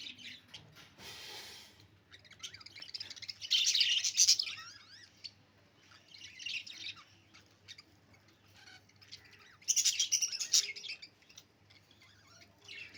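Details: Morning chatter of budgerigars, loud scratchy squawks and rapid high warbled chirps coming in dense bursts, the strongest near the fourth and tenth seconds, with quieter twittering between them over a low steady hum.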